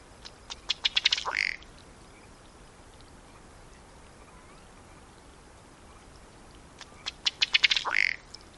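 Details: Ruddy duck in Wisconsin: two bouts, each a quick, speeding run of dry ticking taps ending in a short burping, belch-like note, with about five seconds of quiet between them.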